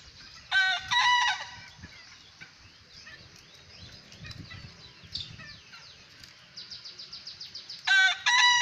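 A young bekisar gives two shrill, clipped crows, one early and one at the end.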